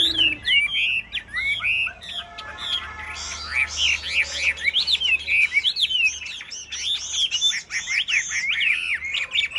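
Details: Three captive hwamei in cages singing in a competition-style session: fast, loud, rich whistles and slurred phrases rising and falling without pause, several birds singing at once.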